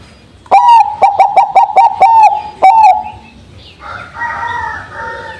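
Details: Bangkok zebra dove singing after morning dew exposure: one rapid burst of about eight clipped, ringing coos closing with a longer drawn note, followed by a different, rougher bird call in the background.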